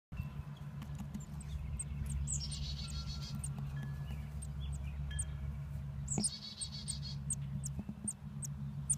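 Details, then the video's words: Chickadee chicks calling: rapid, very high, thin chirps repeated throughout, with two short buzzy, rasping bursts around the third and seventh seconds, all over a loud steady low hum. "Baby Chickadees"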